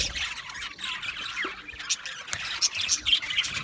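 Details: Budgerigars chatter with squeaky squawks and sharp chirps, notes bunching irregularly, a few louder high pips standing out near the end.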